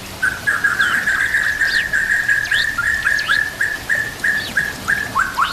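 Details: White-rumped shama recording with nature sounds and gurgling water: one mid-pitched whistled note repeated fast and steadily, about three times a second, overlaid with short high upward-flicking chirps.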